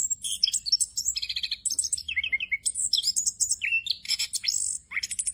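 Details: An orange-headed thrush pours out a fast, unbroken song of varied whistles, trills and chirps, high and bright, with phrases changing every second or so; a full "ngerol" song used as a tutor recording to train young orange-headed thrushes.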